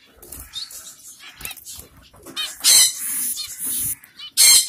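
Finches give high, buzzy, nasal calls and chattering notes, with several birds calling together.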